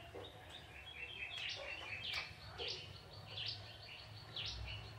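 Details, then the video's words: Young wild male bar-winged prinia from the forest singing vigorously: a run of short, high chirping and trilling notes repeated about every half second, with a low rumbling background hum. "Burung ciblek tebu jantan muda hutan gacor"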